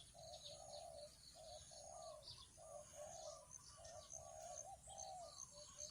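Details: A trained decoy spotted dove on its first training day, around 9 a.m., coos and calls territorially as a wild dove approaches, in low, hollow, rolling notes repeated about once a second, while small birds chirp thinly behind.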